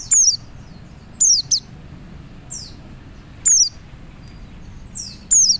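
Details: Oriental white-eye, a male calling other white-eyes, repeating high, thin, descending whistle pairs about every two seconds, with fainter downslurred notes in between, over a low murmur of background noise.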